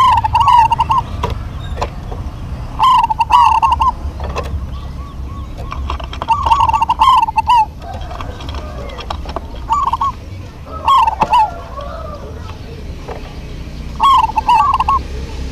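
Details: Local zebra doves singing in a duet: rolling, trilled coo phrases repeated every few seconds, each a bubbling series of quick notes, with sharp clicking taps between phrases and a low background hum.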